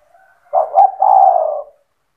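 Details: A single spotted dove phrase in the cetretan singing style, intended to make other doves respond: a short stuttering start flowing into a sustained, low, throaty coo lasting about a second.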